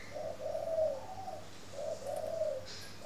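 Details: Spotted dove cooing at a bird farm in Ba Vì, Hanoi, Vietnam, in the morning; two soft, low, slightly wavering coo phrases, each short note then a longer rounded coo, with a quiet pause between.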